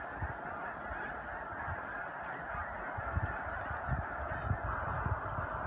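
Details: Snow geese during spring migration near Choteau, Montana, March 2015; massed honks from countless birds form a constant chorus, with occasional louder individual calls and thumping low noise beneath.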